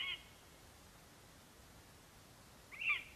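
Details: At a nest in Latvia on 11 September 2021, a male lesser spotted eagle bringing a vole calls for his absent mate: two brief, high, thin yelping notes with quiet between them.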